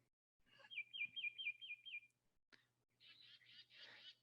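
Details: Black-crested titmouse in Texas Hill Country: a quick run of six clear, downslurred whistles, then its fussy scolding call, harsh and buzzy like a chickadee's but rougher, over a faint low hum.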